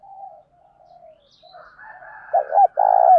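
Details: Spotted dove cooing, used as a lure to provoke wild doves during training: soft level hums, then loud, low, hollow coos with rising and falling notes.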